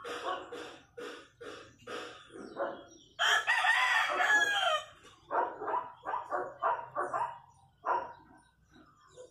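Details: Wild chachalacas near a house in the countryside, calling in a loud, harsh, rhythmic chorus of raspy repeated notes, about three per second, rising to a dense grating burst midway before easing into spaced calls.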